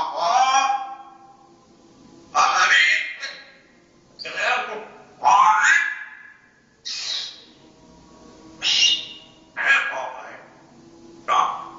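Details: Parrot bred in the Netherlands in 2010, prized for its very loud voice, repeating short harsh screeches and rising squawks roughly every one to two seconds, each a burst of raspy harmonics.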